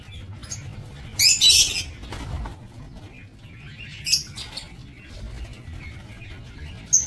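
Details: Lovebirds kept for breeding in an aviary, recorded 22 November 2024. A few shrill, high chirping bursts come at around one second and four seconds, with a short squeak at the end, over a low background hum.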